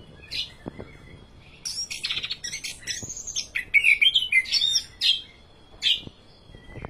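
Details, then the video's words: Orange-headed thrush in vigorous song: after a few isolated notes, a rapid burst of chattering and whistled twitters comes, then sparse single notes and faint clicks. "Anis Kembang Full Gacor"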